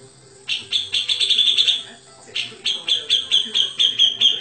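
Grey-cheeked bulbul delivering two fast bursts of sharp, high chattering notes, about four per second, with a faint low hum underneath.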